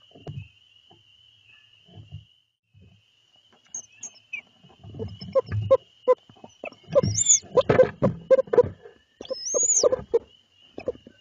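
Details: Male barred owl delivering small mammals at night to his mate, who is raising three owlets, in Lebanon, Connecticut; after scattered soft low notes, a loud burst of harsh cackling calls with two high rising screeches, over a steady high insect hum.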